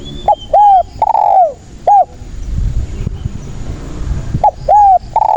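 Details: Spotted dove singing loudly, a recording used to lure and trap other doves: two phrases of short hollow coos and a long falling coo, separated by a pause with low background rumble.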